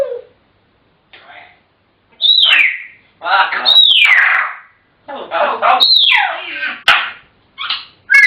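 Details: Talkative African grey parrots give repeated high calls that fall steeply in pitch, mixed with raspy speech-like syllables and a sharp click, in bursts about a second long.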